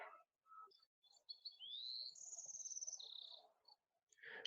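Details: A Bewick's wren sings in a morning field, fairly close, a high, bright phrase: short notes, a rising slur, then a fast buzzy trill, over low murmur from other birds including many song sparrows.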